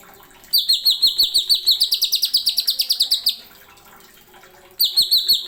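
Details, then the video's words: Greater green leafbird (cucak ijo) in a masteran tutor recording of sharp 'nembak' song with 'isian'. A rapid, rising run of bright high notes lasts about three seconds, then a pause, then a fresh burst begins. "MASTERAN.CUCAK IJO NEMBAK ISIAN TAJAM."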